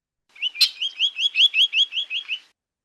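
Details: Spotted Sandpiper giving its repeated 'wheeta wheet' call: a fast series of about nine high, clear notes, each slightly rising and falling, over two seconds, with a sharp click near the start.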